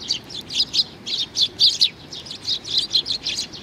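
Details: High, sharp chirping from a young sparrow, a little chick, notes clustered in rapid pairs and triplets, steady and insistent across the whole stretch, no other animals heard.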